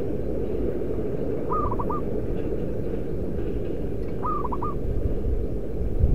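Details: Zebra dove of local stock, used as a decoy for its loud voice, giving two cooing phrases about two and a half seconds apart, each a long note then rapid short notes, with constant rumbling noise throughout.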